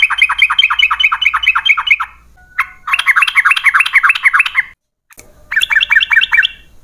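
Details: Yellow-vented bulbul giving a long rapid 'ropel' song used as a lure to make other bulbuls sing: three bursts of fast, repeated chattering notes that dip and rise, separated by short pauses.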